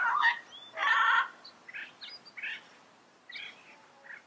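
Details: Yellow-headed amazon giving two loud grating squawks followed by several softer, shorter raspy notes, then quiet.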